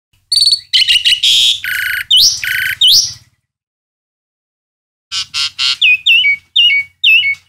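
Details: Asian pied starling song: loud, varied bursts of harsh buzzy chatter and rising whistled notes, then a pause and a second run of sharp rasping notes with upslurred whistles.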